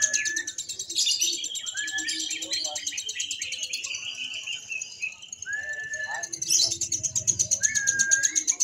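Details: Lovebird in a single-fighter practice contest at Mahadewa. Continuous fast, high, buzzy chirp trill runs throughout, over slurred whistles and rising notes from other contest birds, with faint background chatter and music.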